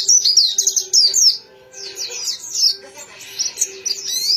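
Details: Pleci (white-eye), a small songbird, sings rapid high twittering phrases in bursts of about a second, thin sweeping notes tumbling over one another, with brief pauses between bursts and a faint steady low hum behind.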